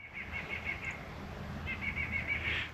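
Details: A White-breasted Nuthatch in woods in Marion County, Ohio, on a sunny winter day, 34°F, February 10, 2025, gives quick runs of five or six nasal, mid-pitched notes, two bursts with a pause; low background rumble.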